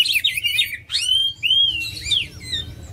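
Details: Oriental magpie-robin song meant to stir other birds into singing: a jumble of buzzy notes, then long swooping whistles rising and falling, ending in fainter varied phrases.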